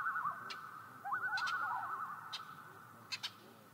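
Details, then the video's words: Common loon producing loud yodel-like quavering calls that ripple rapidly, overlapping with a second lower wavering voice, followed by several short sharp clicks as the calling fades. "Common Loon Sounds"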